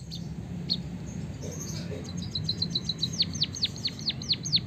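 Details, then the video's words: Javanese white-headed munia delivering canary-filled rolling song for tutoring other birds: a few isolated high chirps, then a short fast trill followed by repeated sharply falling whistles at a quick even pace, with some low rumble beneath. "suara burung emprit peking bondol kaji gacor isian kenari ngeroll panjang untuk masteran"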